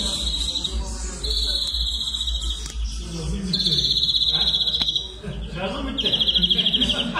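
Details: European greenfinch (Carduelis chloris) song: four rapid, ringing trills, each about a second long, with short pauses between, over a low background rumble.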